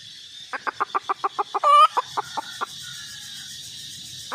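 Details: Red junglefowl hen giving a run of short, sharp clucks about six per second, broken by one loud harsh squawk, then a few more clucks before a low background hum.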